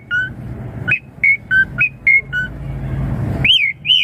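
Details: Asian pied starling song played to lure young birds into answering: clear whistled notes alternating between two pitches, evenly spaced, ending with two louder arching whistles, over a low rumbling background.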